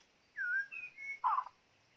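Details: A white-rumped shama, used as a decoy to trap birds, sings a short phrase: a smooth falling whistle, two level whistled notes, then a brief scratchy, warbled burst.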